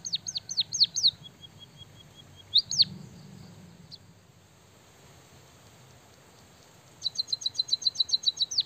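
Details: A white-headed munia singing canary-like material: falling whistled notes and a soft stuttering trill, a lone swooping note, a long quiet stretch, then a rapid burst of high, clipped chirps.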